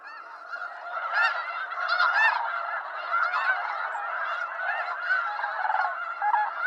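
A dense flock of snow geese calling together, a steady overlapping clamour of nasal, yelping honks with no break.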